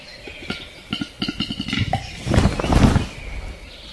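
A western capercaillie gives a series of dry, hollow clicks that quicken, then breaks into a rough, scraping rush of sound before falling quiet.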